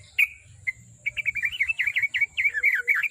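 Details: Sooty-headed bulbul lure song for a kept bird: two single sharp notes, then a quick, chattering run of wavering chirps lasting two seconds, over a low background rumble.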